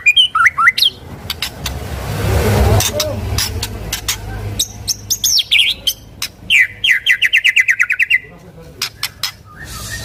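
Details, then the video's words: White-rumped shama singing to set off other shamas: scattered clicks and whistles over a noisy rushing background, then a rapid run of rising whistled notes and sharp ticks. "murai batu gacor sangat cocok buat pancingan murai batu agar bunyi ikut NYAUT"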